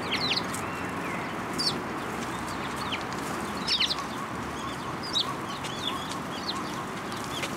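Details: Several sparrows come to a post for food at a Tenmangu shrine on 22 February 2023, giving bright, high, clipped chirps in loose bursts about every second, against constant broadband background hiss.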